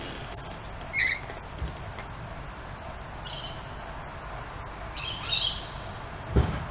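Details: Lorikeets in the open greeting a familiar person with scattered shrill squeaks and a buzzy, ringing screech, then a double burst of bright calls, ending with a low thump.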